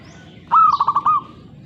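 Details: Zebra dove (perkutut) singing one short cooing phrase: a quick run of soft, pulsed, low notes that ends in a longer drawn-out coo, over faint low background hum.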